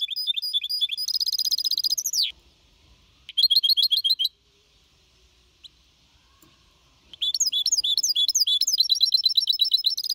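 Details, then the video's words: Young goldfinch hybrid, 4.5 months, clean Copia Malaga singing from 2021 used to stir other birds to sing; high twittering phrases and a trilled run, a long three-second pause, then rapid chatter resumes. "Mixto de Jilguero Cantando Limpio (Copia Malaga) 2021 🎶 Tiene 4 meses y medio Para motivar pájaros"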